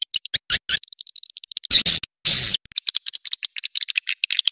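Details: Call used to coax edible-nest swiftlets to roost: rapid series of sharp high clicks and short chirps, with two longer harsh buzzing bursts in the middle.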